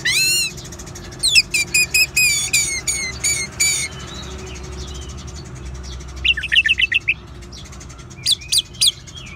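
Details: Ngeban-style song of an orange-headed thrush, played to prompt caged birds into song: a quick run of sharp high whistles and slurred notes, a quieter stretch, then short chattering bursts and a few high whistles.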